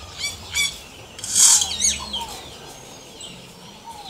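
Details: Yellow-rumped cacique (xexéu) singing outdoors in nature: a few clipped bright notes, then a loud harsh rasping burst, followed by soft sliding whistles, with constant background hiss.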